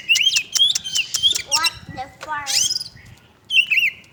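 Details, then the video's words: Oriental magpie-robin singing energetically: bright whistled notes and rising and falling slurs around high pitch, briefly interrupted midway by a man speaking, then a final downslurred whistle. "kacer gacor"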